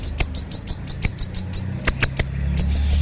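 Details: Sharp, energetic 'konslet' song of a siri-siri bird, used for training other birds: a fast, evenly spaced run of thin, very high piercing notes, then a short pause and more notes.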